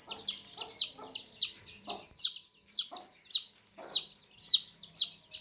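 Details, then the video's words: Baby chicks in a basket give loud, piercing, downward-slurred peeps roughly twice a second, with brief faint clucks between calls. "Baby Chicks Chirping Sounds In Tokri | Chicken's Chicks Sounds and Chickens Clucking Sounds"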